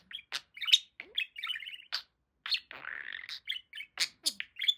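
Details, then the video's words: Male pet budgerigar in a steady stream of warbling chatter: dense high chirps, buzzy trills and scratchy notes packed close together, with a longer raspy warble in the middle and quick clicking tweets to finish. "Talking Parakeet"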